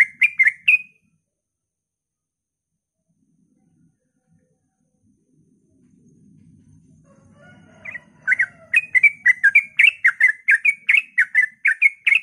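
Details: Sooty-headed bulbul at dawn, rapid 'ropel' song meant to draw other bulbuls into singing; a short burst of chirpy notes, then several seconds of near silence with a low murmur, before fast bubbly phrases resume.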